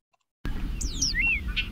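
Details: Bobolink (Dolichonyx oryzivorus) song in meadow habitat: a quick burst of metallic, bubbly, rambling notes swooping up and down in pitch, likened to R2-D2, over a steady low background rumble.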